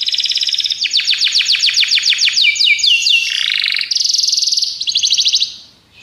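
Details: Training song of a Belgian canary: a rolling series of descending whistled sweeps, then buzzy rattling trills, loud and continuous throughout.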